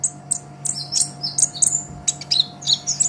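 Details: Olive-backed sunbird song, a training master for caged songbirds: fast sequence of sharp, very high chirps and brief up-slurred notes, closely spaced, with a constant low hum beneath.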